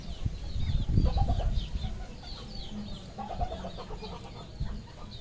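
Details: Red junglefowl on a farm in Cambodia, a flock giving soft, rapid clucks in bursts alongside high, thin chirps, with low rumbling background noise throughout.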